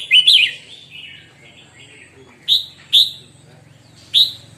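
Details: Red-whiskered bulbul singing in the morning, opening with a loud slurred whistled phrase, then separate bright whistled notes, over a steady low hum.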